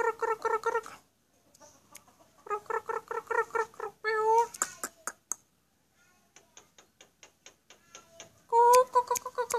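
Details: Black-collared starling delivering rapid bursts of repeated harmonic notes, about six per second, broken by silences and a series of dry, regular clicks, before a final loud burst.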